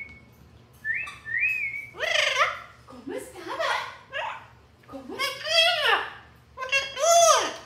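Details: Jealous pet Amazon parrot crying indoors because its owner touches another parrot: a few flat whistles, then a series of loud, drawn-out, wavering wails that arch up and down, repeated several times.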